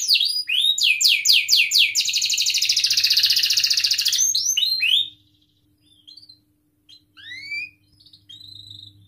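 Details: Canary singing to set off other canaries: swooping whistled notes leading into a long, fast buzzy roll, more swoops, then near silence broken by a few scattered soft whistles.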